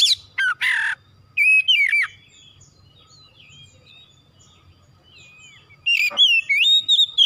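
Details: Oriental magpie-robin song for stimulating a kacer to sing, opening with harsh scratchy notes and sharp whistles, a quiet stretch of soft twittering, then a rasping note and a run of loud sliding whistles.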